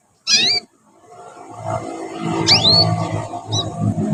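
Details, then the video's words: Young canary practising song: one loud, high, warbling chirp, then a rising whistled sweep and a short high note as a low, growing rumble of background noise builds. "kanari belajar bunyi"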